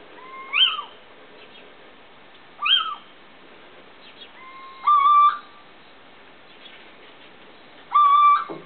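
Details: A Little owl (Athene noctua), recorded on 24 July 2009, gives two short yelping notes that swoop up and down, then two longer steady mellow whistles, each a few seconds apart, over a quiet background.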